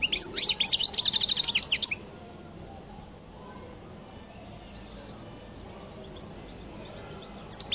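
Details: European goldfinch singing its distinctive 'qal' style song: a rapid burst of high, thin twittering notes with a fast buzzy trill for about two seconds, then near silence, and a brief chirp at the very end.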